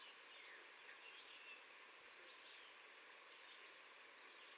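An American Redstart gives two high, wheezy songs of thin slurred notes ending in a burst of down-slurred, sneeze-like notes. A faint hiss runs underneath.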